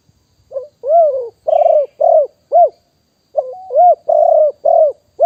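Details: Wild spotted dove recorded live in 2021 as a lure voice, repeating a gentle cooing phrase: a low hooked opener, then three to four rounded, slightly buzzy coos, phrases about two seconds apart.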